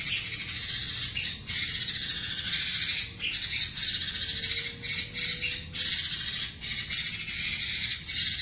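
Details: Lure recording of a white-rumped shama (murai batu) singing constantly with a full repertoire of mimicked phrases in an aggressive fighting style; high, crowded twitters and trills run on in surging bursts, and a faint low whistle appears midway.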